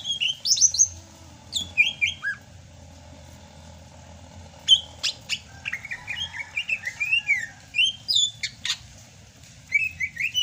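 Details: Greater green leafbird from Sumatra singing freely in the rainy season: varied, rich whistled phrases with sharp slurred notes and rising and falling sweeps, delivered in bursts with short pauses over a low background hum.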